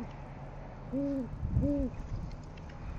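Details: Great horned owl at a nest with eggs in Oklahoma City, 6:40 am on 10 February 2014, during a food delivery by the male, giving two deep, soft hoots about half a second apart, each slightly arched in pitch, over a low rumble.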